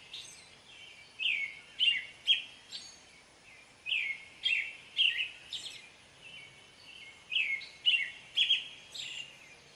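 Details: American robin song in grouped bursts of caroling downslurred whistles, three or four phrases per burst separated by short pauses, steady background hiss.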